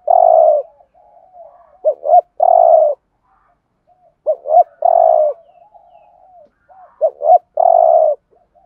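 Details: Used to lure birds for trapping, a spotted dove's thúc gù coo in Thổ style: a long coo opens, then three phrases of short paired notes ending in a drawn-out hollow coo, with quiet gaps.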